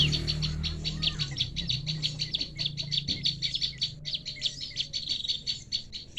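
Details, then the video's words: Prinia calling as bait to trap birds, giving rapid high chirps and short trills in a nearly unbroken stream, with a low droning hum underneath at the start. "mikat burung prenjak"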